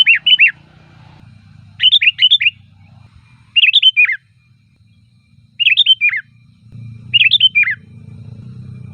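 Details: Song of the sooty-headed bulbul played to lure bulbuls: five bubbly phrases of three or four slurred, descending notes spaced about two seconds apart, with a low background hum rising near the end.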